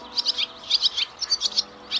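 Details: Swiftlet calling recording meant to lure birds back to a site: quick bursts of high, buzzy twittering chirps, several per second, over a faint steady hum.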